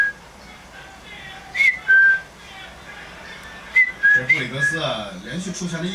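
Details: Pet common myna indoors gives two pairs of short, bright whistles, then a drawn-out, wavering, voice-like sound mimicking its owner's grandfather's yawn and cough.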